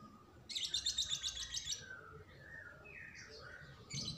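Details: White-rumped shama singing: a fast, buzzy run of high chattering notes lasting about a second, followed by softer scattered whistled phrases at shifting pitches and a brief high burst at the end.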